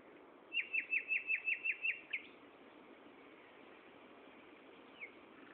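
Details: Afternoon song of a common nightingale at Gaasperzoom, 16 May 2012, 15:30: a rapid, even series of eight identical sharp, down-slurred notes, followed by a pause and one lone slurred note, against a soft hiss.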